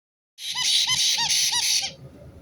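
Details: White-bellied caique, a parrot, giving a harsh, broadband screeching call of about five rapid pulses, each with a short rising-falling squeal, lasting over a second before ending abruptly.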